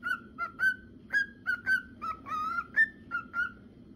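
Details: Male cockatiel whistling its song: a run of clear, short whistled notes, mostly level and a few rising or falling. They come about twice a second, with one longer warbled phrase in the middle, over a faint low hum.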